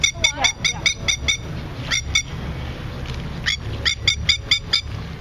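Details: A captive Masked Lapwing in a small zoo aviary gives loud, sharp, metallic chattering in quick bursts of five or six, like an amplified cricket chirp, over a low background hum.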